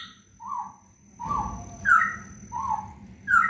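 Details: Green leafbird in 'gacor full isian' song, meant as a lure to prompt reluctant leafbirds to sing. Short rising whistles, about one every half second, some bright and slurred, with a thin constant background tone and low rumble.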